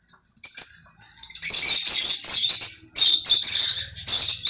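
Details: After a few quiet squeaks, a conure launches into loud, raspy screeching in sustained bursts, with a faint low hum underneath.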